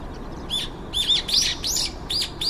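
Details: Brown-eared bulbuls, about five in a garden, noisy while waiting their turn to feed, filmed on a compact camera: short arched chirps, bright and high, six notes in quick succession with a faint background hiss.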